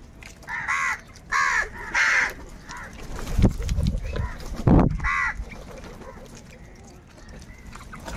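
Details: Crows squabbling over food give three harsh caws in quick succession, then a few thuds and a scuffle, followed by one more caw amid steady background noise.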